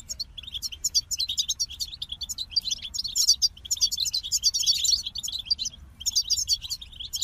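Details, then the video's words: Goldfinch pouring out dense, rapid warbling twitters, growing busier and louder through the middle, then a brief pause before another quick run of high chirps. "The Captivating Call of Goldfinches"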